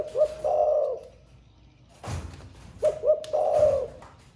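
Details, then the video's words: Spotted dove singing in the 'thổ pha' style, a newly emerging voice said to coo all day: two low, mellow phrases, each a couple of short hollow notes and then a longer rolling coo, separated by a dull knock. "Cu gáy 800k giọng THỔ PHA mới nổi gáy cả ngày"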